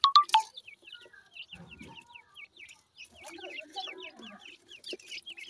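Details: Grey francolin chicks from a breeding pair in Punjab, Pakistan: rows of clear, high, downslurred peeps repeated rapidly by several chicks, after a few loud sharp clicks at the start, with faint low rustling.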